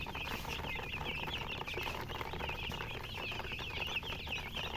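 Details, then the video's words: Coloured chickens, a murgi hen, chirping: a dense, continuous chorus of high, short, rising peeps from many birds overlapping without pause, over a steady low background rumble. "silly chicken chirping sounds"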